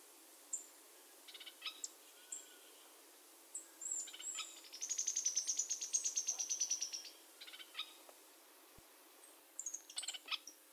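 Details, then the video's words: A Sharp-billed Treehunter, an ovenbird of south-eastern South America, sings a very high, thin, dry trill lasting about two seconds, framed by scattered sharp high chips and short note bursts. "kicauan Sharp billed Treehunter"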